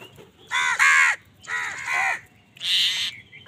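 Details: Angry crows cawing while wild birds fight them for food: three harsh, hoarse, drawn-out caws, each about half a second long, with a short pause between each.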